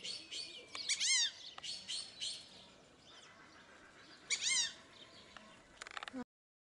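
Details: Fulvous whistling ducks, a sociable flock kept at Upie Zoo in Drôme, France. Squeaky, whistled notes arch up and then down. Two strong calls stand out, one near the start and one later, among shorter chirps and scratchy bursts.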